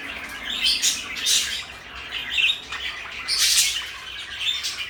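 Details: A pair of pet parakeets, blue and pale yellow, trade quick raspy squawks and bright chirps, loud clustered bursts separated by brief softer gaps.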